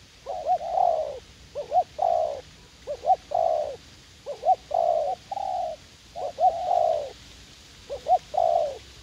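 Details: Garden decoy spotted dove in U Minh, a young wild-caught bird eager to fight, repeating low cooing phrases about every second: quick doubled pips leading into a drawn-out hollow coo, steady and insistent.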